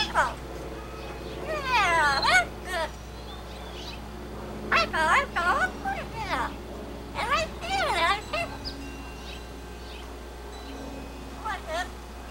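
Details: Pet male blue-fronted amazon sitting out on his playpen, chattering through his repertoire: several clusters of rapidly wavering, speech-like harmonic sounds separated by short pauses, over a constant low electrical hum.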